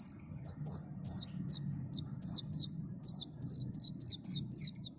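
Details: Plaintive cuckoo chick giving spaced, high, raspy notes. They speed up into a rapid close series in the last seconds. A faint low background hum is present.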